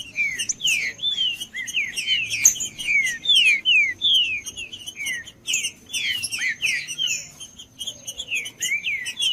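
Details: Green-winged saltator song played to warm up a cold bird that is not singing: continuous run of loud, clear whistled notes, many slurring downward, delivered rapidly, about two or three per second.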